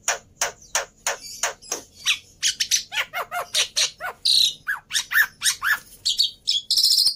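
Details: Singing black-winged myna, offered to prompt mynas that have gone quiet: evenly spaced sharp notes building into quicker chattering, with whistled slurs and a scratchy high buzz near the end.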